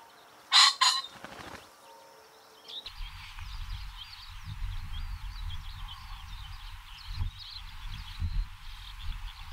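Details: Common pheasant giving one loud, harsh, explosive crow lasting about half a second, followed at once by a short burst of whirring wingbeats; the rest is quieter rustling background with faint high chirps of other birds.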